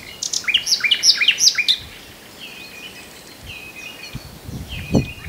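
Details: Common nightingale phrase of sharp, rapidly repeated whip-like notes, followed by softer whistled notes, with low rustling or thumping in the background.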